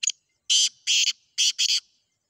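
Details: Nine-month-old young black francolin calling against a wild one in a calling contest; loud, harsh, clipped notes in quick bursts, two single then a paired couplet, with no other sounds around them.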